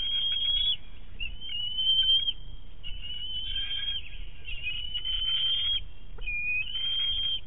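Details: Bald eaglet at its nest, filmed by a nest camera at Big Bear on 7 May 2018 around a fish hand-off from its mother. It gives long, high, thin squeals with short breaks, over a steady low rumble.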